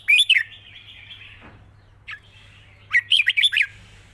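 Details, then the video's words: Caged red-whiskered bulbul in long wild-style song with rik notes: a rapid bubbling phrase opens, a drawn-out thin tone fades, one short note follows, then a fast run of about five bright warbled notes over a faint hum. "เพลงยาว ปากเบา ร้อง+ริก /สำนวนป่าๆ #นกกรงหัวจุก"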